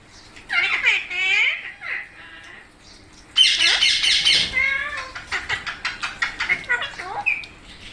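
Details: Pet parrots, called Indian parrots, sitting close together and calling: harsh squawks, a loud noisy burst, then rapid clicking chatter repeated over several seconds, ending in a short whistle.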